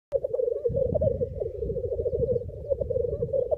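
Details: Black grouse rookooing at a Cairngorms lek on 28 April 2014, with nine males and six greyhens attending, heard from a hide: a steady, low, dove-like bubbling that rolls on without pause, several males overlapping.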